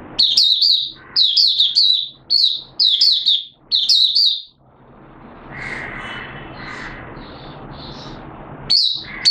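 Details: Captive oriental white-eye from Malaysia in light moult gives five quick bursts of high sweet chirps, then a noisy stretch with faint softer notes before one more burst; recorded 2 April 2023.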